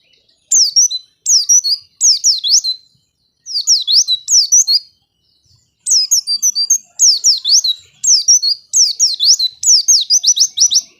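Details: White-eye singing, used to coax silent white-eyes into song; sharp V-shaped whistled notes grouped in short bursts repeated roughly every second, separated by a clear pause midway.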